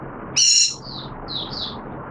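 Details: Caged oriental white-eye kept as a hobby songbird, in 'buka sing' (opening song) form during wet weather, recorded 06/09/2022: one loud, rich, harmonic chirp, then a few fainter, thin, high whistled notes over low background hiss.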